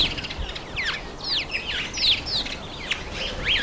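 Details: Red-faced mousebird (Urocolius indicus) at a birdbath, giving a series of high whistles that curve downward, each about a quarter-second long, repeated rapidly over a soft outdoor background.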